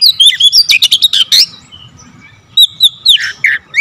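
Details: Dense, varied Oriental magpie-robin song delivered in rapid succession: rolling whistles, quick chirps and scratchy buzzes crowd the first second and a half, then after a short lull fresh looping whistled phrases resume.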